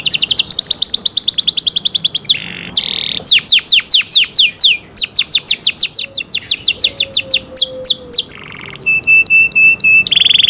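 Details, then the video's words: Canary singing a clear cenkok-style song: long bursts of rapid, evenly repeated high sweeping notes, fast rattling rolls, and a steady pure whistled tone near the end, loud and uninterrupted over ten seconds. "LUXURY CENKOK CANARI SOUND, CLEAR SOUND"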